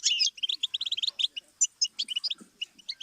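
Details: Goldfinch song as a stimulus for learning: an opening buzzy flourish, then a rhythmic run of short, bright chirps with occasional sharp ringing notes.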